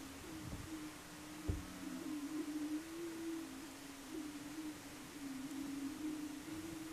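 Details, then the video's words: Greater prairie-chickens booming on a lek at Bledsoe Ranch, Wray, Colorado, 9 April 2022: a low, hollow, wavering hoot droning almost without a break, with a couple of dull thumps near the start. "Greater Prairie Chickens lekking"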